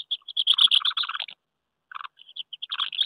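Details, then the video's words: Common house martins courting at their nests on a wooden house in May 2023, with pairs claiming nests and strangers squabbling. Dry, chirruping twitters in quick bursts, with a short pause and then a renewed busy twittering run. "Mehlschwalben am Holzhaus, die Balz im Mai 2023"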